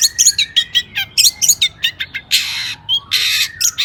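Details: Agitated long-tailed shrike song for drawing out other shrikes: regular chattering notes about four per second, then two long harsh rasping bursts with a whistle between them.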